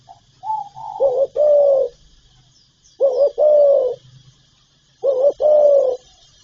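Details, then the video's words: Spotted dove, full calling, urging and cooing repertoire: soft lead-in notes, then three hollow coo phrases repeated about every two seconds, each a quick doubled note and a longer drawn tone, with a low hum and hiss. "Tiếng chim cu gáy đủ bài gáy gọi, thúc, gù"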